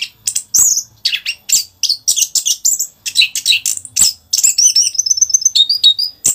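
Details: Caged orange-headed thrush singing in a vigorous continuous 'rock n roll' style used as training audio for other birds: rapid varied chirps, rattles and whistled notes in quick bursts, ending with a thin trilled series.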